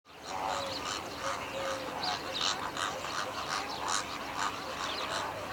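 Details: Greater flamingo flock recorded on 19 February 2017: a dense, continuous chatter of many overlapping nasal, goose-like honks and grunts, with no single bird standing out.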